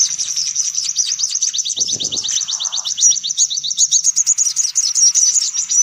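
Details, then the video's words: Lure recording for sunbirds: a steady, fast stream of thin, high ticking trills with few breaks, and a short low noise early on. "Suara Pikat Burung Kolibri Paling Manjur"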